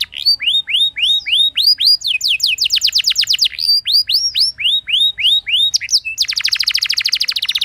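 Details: Canary performing a rich rolling song to get other canaries to sing: series of rising whistled notes repeated in runs, a fast trill in between, ending in a dense buzzy roll.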